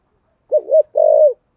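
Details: Single phrase from a spotted dove singing in 'thổ sấm' style as a lure for wild doves: two quick low notes, a brief gap, then one sustained burring coo dropping in pitch.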